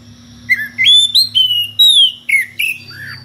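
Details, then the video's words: Loud, clean whistled phrases from an Oriental magpie-robin singing ngeplong to call a rival, stepping up in pitch then sliding down in separate notes, finishing with a lower drooping whistle, a soft hum beneath. "SUARA KACER NGEPLONG MEMANGGIL LAWAN DENGAN VARIASI SUARA ANEH"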